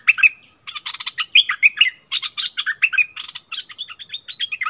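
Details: Bulbul in a fierce singing duel with a wild bird, recorded 27 March 2021, neither giving way. Rapid run of bright, chattering chirps and short whistled notes, with a brief pause near the start and then continuous phrases.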